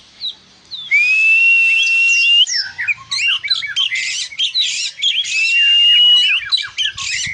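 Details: Oriental magpie-robin in full song: a long, clear, rising whistle opens the phrase, then rapid chirps, buzzy notes and trills follow, before another sustained whistle and more twittering.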